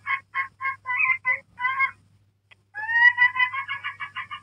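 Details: A parrot gives a few spaced, nasal squawks, falls briefly silent, then breaks into a longer rising, chattering run of quick harmonic notes over a low hum.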